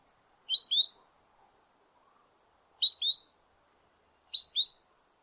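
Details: Spotted Sandpiper song near water on its Newfoundland breeding grounds: a rapid series of high, clear paired weet-weet whistles, three quick pairs about every two seconds, with silence between.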